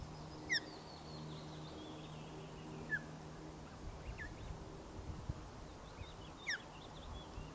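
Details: Osprey at a nest webcam on Loch of the Lowes, 1 June 2013 at 13:26, during the first feed for the chick: three short, sharp, downward-sliding whistled chirps spaced a few seconds apart over steady hiss, with faint high birdsong behind.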